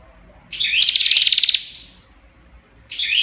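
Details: Single rasping, buzzy prinia burst of rapid crackling notes about one second long, then quiet before another burst begins at the end.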